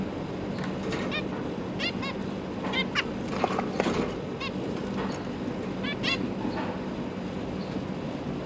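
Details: Zebra finch parents feeding fledglings and juveniles in November 2022; frequent nasal, stacked calls repeat roughly every half second to a second, with a busy, overlapping stretch near three to four seconds and a faint steady hum.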